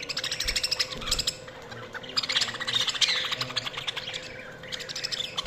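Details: Budgies chirping together in a dense, overlapping chatter of quick high chirps and warbled notes, with short bursts of rapid ticking trills, over a steady low background hum.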